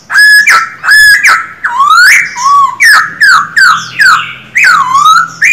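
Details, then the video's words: Caged male Silver-eared laughingthrush in full song, trained to sing daily: paired downward-sweeping whistles, rising glides, and a rapid closing series of falling notes, about one phrase every second. "Khướu bạc má hót quá đỉnh, 60 phút luyện giọng mỗi ngày."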